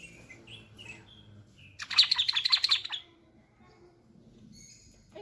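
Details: Bulbul singing: soft, short whistled notes, then a loud, quick burst of tumbling chirps lasting about a second, followed by faint notes.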